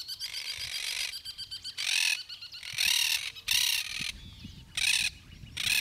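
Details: Chimachima, the yellow-headed caracara, recorded in Gualeguaychú, Entre Ríos, Argentina, giving a run of rasping, scratchy screams in quick succession, some longer and some clipped, with faint low rumble beneath.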